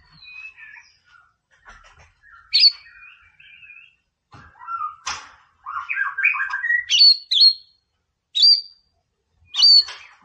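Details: White-rumped shama, 'Boomerang' tutor song to provoke a rival: scattered quiet whistles and clicks, a mid-clip cluster of rising warbled notes, and loud sharp high notes at intervals.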